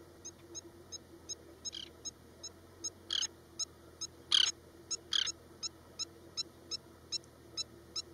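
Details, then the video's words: Oriental pratincole, Osman Sagar, Hyderabad, feigning a broken wing: crisp high clicks repeat roughly every half second, and several loud, grating bursts stand out midway, with a low steady hum beneath. "Oriental Pratincole Broken Wing Display"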